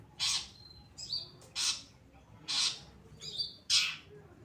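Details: Pastol-type long-tailed shrike, caged, singing gacor as tutor material for other birds: loud explosive rasping bursts spaced about a second apart, with brief thin whistles between.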